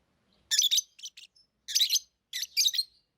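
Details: Shrill, scratchy lovebird chirps in three short bursts, each a rapid cluster of harsh notes, with clean silence between them.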